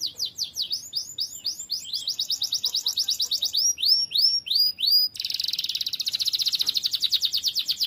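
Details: Canary in full, lively song used as a tutor recording for training other birds: fast high trills of down-slurred notes, shifting to a rapid buzzy rolling trill in the second half, with no other sounds.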